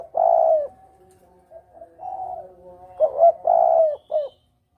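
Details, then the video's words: Spotted dove lure call for hunting: a long coo fading into a soft hum, then the double-kuk phrase of two short notes, a long coo and a brief final note. "Suara pancingan Tekukur || suara pikat tekukur || mp3 suara tekukur jernih"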